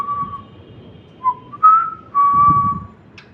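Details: Cockatiel whistling: a steady mid-pitched whistle, then a short dip, a brief rising note and a longer level whistle, all clean pure tones over faint low background rumble.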